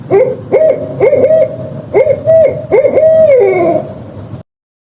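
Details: Barred owl giving a series of hooted notes, several short hoots followed by longer drawn-out hoots that slide downward at the end, part of a sequence of songs, calls and mating calls.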